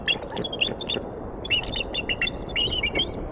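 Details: At a Decorah, Iowa eagle nest, 4 February 2019 around 9:15 AM, the female and an intruding eagle vocalize after the male brings prey. Rapid high, squeaky chirps in two bursts, thin and piping.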